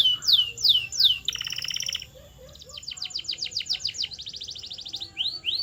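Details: Canary training song: a few looping whistles, a buzzy steady tour, then a rapid run of repeated descending notes and a couple of slower rising whistles to finish.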